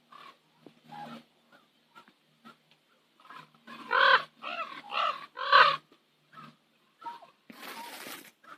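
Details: Common ravens on Nose Hill in Calgary at sunset give quiet clicks and short notes, then a burst of four loud, hoarse croaks in quick succession, followed by a brief rush of noise.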